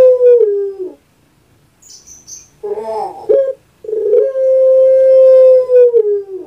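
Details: Kept pet puter pelung dove from Java, Indonesia: a long, steady, drawn-out tone sliding down at the end, a broken warbling middle section, then another long level note of about two seconds that tails off, in kuk-gerukkk-kwokkk style.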